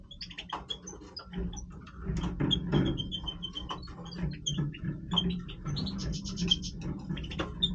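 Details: Major European goldfinch in breeding voice: a busy twittering run of high, clipped notes with a short rapid buzzy trill near the end, over steady low rumbling background noise.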